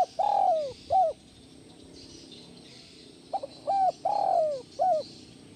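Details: Spotted dove cooing to calm stressed captive doves: the end of one phrase, with a long falling coo and a short note, then after a pause a full phrase of quick notes, a level coo, a descending coo and a final coo.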